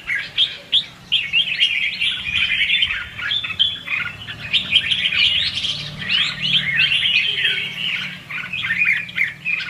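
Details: Red-whiskered bulbul giving 'hót ché' fighting song, a decoy voice for trapping and training: bursts of rapid twisting whistles and chattering phrases separated by short gaps, over a faint low hum.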